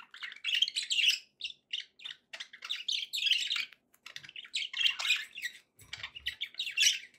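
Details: Pet budgerigars in a happy mood: nearly continuous scratchy warbling mixed with sharp squeaks and clicks, several birds' voices overlapping.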